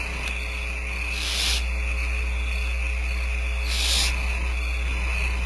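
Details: Begging barn owl owlets being fed by the female at a ranch nest cam; two rasping hiss bursts about half a second long, some two and a half seconds apart, with constant low hum underneath.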